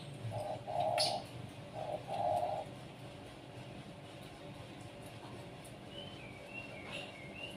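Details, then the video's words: Zebra dove, a privately kept bird set out to sunbathe in the morning, gives two rolling, trilled low coo phrases in quick succession, then falls quiet while faint high chirps of other birds continue in the background. "RELAKSASI, penjemuran burung perkutut biar rajin dan gacor"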